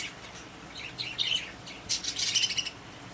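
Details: Caged pet budgerigars chatter softly, with a few quiet high chirps followed by a brighter burst of warbling, scratchy notes near the end.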